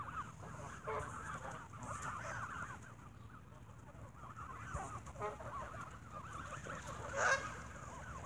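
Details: Geese given bread at evening feeding squabble in choppy bursts of honking and cackling, quieter between outbursts, ending with a louder harsh squawk.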